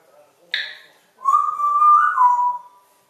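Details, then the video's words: Six-year-old female African grey parrot kept as a pet in the Netherlands, imitating the family dog: a short noisy burst, then a long, steady whistled whine that rises slightly and drops near the end. "the talking African grey Parrot"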